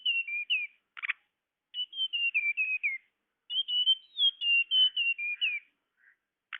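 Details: Tledekan lure sound: runs of high whistles gently falling in pitch, separated by loud buzzy chatter bursts and short silences.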